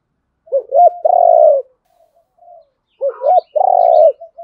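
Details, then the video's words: Spotted doves, male and female, calling to challenge a rival bird to fight; two phrases of paired upturned notes and a long steady coo, with faint chirps between. "tieng chim cu gáy thúc đấu vấy Bổi"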